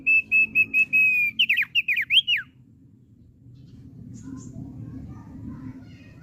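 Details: A captive Thick-billed heleia gives a string of short level whistles, then bursts into rapid twisting slurred notes sweeping up and down, before the song stops and only low background noise remains.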